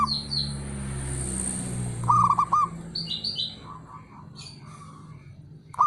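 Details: Male zebra dove calling to provoke rivals: a noisy rushing start, then one quick phrase of stuttering low coos, followed by softer high chirps and faint coo notes over a hum.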